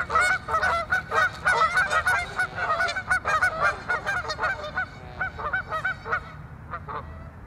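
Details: Canada geese at Waveland Lake on Chicago's North Side in a fierce territorial fight, a rapid, loud barrage of overlapping honks, roughly three per second, easing and thinning out over the final seconds.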